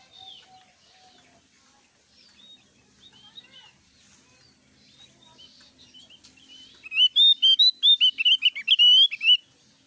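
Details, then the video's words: Javan grey-throated white-eye singing loudly: after several seconds of faint, scattered high notes, a rapid burst of sharp, bright chirps arrives near the end, closely packed and tumbling between high and very high pitches. "suara keras burung opior jawa gacor"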